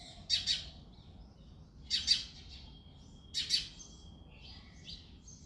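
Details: Early February morning, a male house sparrow chirping: three strong paired chirps about 1.6 seconds apart, then a thin steady whistle-like tone and softer scattered notes toward the end.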